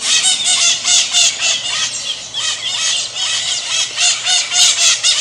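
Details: Raucous Pionus parrot, called maritaca, repeating shrill scratchy squawks almost continuously, around four per second, each a buzzy harsh shriek with ringing overtones, loud from start to finish.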